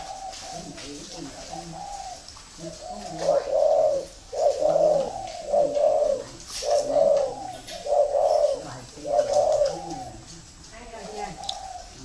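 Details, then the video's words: Spotted dove of a Ho Chi Minh City customer, a bird that coos a lot; quiet start, then a run of about eight rhythmic low coos roughly a second apart, fading at the end, light room hiss behind. "chim đã gáy nhiều"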